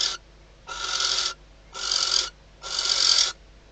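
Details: Inside a nest box at Riet Vell Natural Reserve, Ebro Delta, a female barn owl calls at night to the arriving male, days before hatching and just before they mate. Four drawn-out, wheezy hisses, each about 0.7 seconds, spaced evenly.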